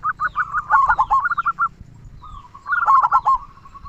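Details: Local zebra dove singing with a big 'kung' voice: quick, jittery coos tumbling together as two doves overlap, then a pause and another bubbling burst.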